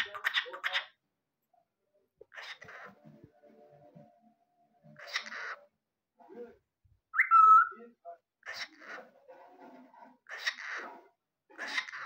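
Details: Clearly talking pet cockatiel uttering spaced speech-like phrases separated by silences, with one bright rising whistled note midway and faint low background murmurs.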